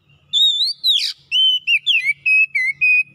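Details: Oriental magpie-robin singing a fast sequence of clear, wavering whistled notes, each about a quarter second long, with a brief buzzy burst near the start and a faint low hum beneath.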